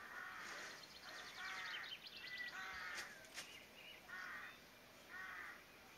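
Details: Blackbird alarm call in a Somerset garden during lockdown: harsh, rasping chattering notes repeated roughly once a second, with fainter song from other birds in the background.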